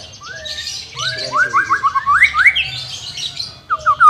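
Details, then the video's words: White-rumped shama singing, meant for training a bird that won't sing: a run of clear rising whistled notes, accelerating then broken, ending with sharp bright upslurs, over faint low background hum. "CARA MELATIH BURUNG MURAI BATU MALES BUNYI"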